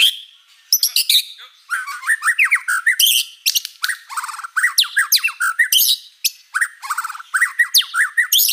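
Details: Energetic white-rumped shama song, gacor with many fill-in phrases, delivered as dense runs of harsh squawky notes, fast descending chips and high squeaks almost without pause.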